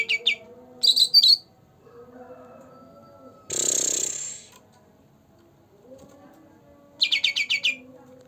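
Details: Green leafbird, a young bird said to be two months old, singing; the recording is meant to prompt birds that rarely sing. Short bursts of rapid, high, chattering notes come with long gaps. A low steady hum and a brief loud hiss are also heard.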